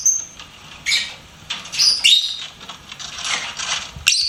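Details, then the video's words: Lovebird kept as a pet, chirping: a few sharp, high-pitched squeaks and chattering bursts spaced about a second apart, with brief quiet stretches between them. "LOVEBIRD SINGING & CHIRPING SOUNDS"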